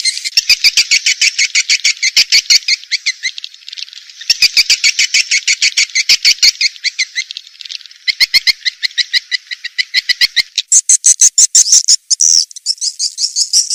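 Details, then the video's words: Lure call for swiftlets: long runs of rapid, buzzy twittering with brief breaks, turning higher and thinner toward the end. "SUARA PANGGIL BURUNG WALET"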